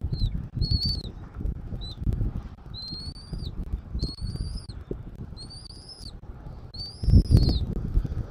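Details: Bald eagle calling at its Southwest Florida nest on 13 January 2024 around 14:17: short high piping notes, then longer arched whistles in a quick series, with constant low-pitched wind noise and a few thumps.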